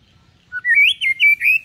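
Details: A white-rumped shama sings calmly as a lure for juvenile birds to start singing: a short low note, then a rising, warbling whistled phrase of several linked slurred notes.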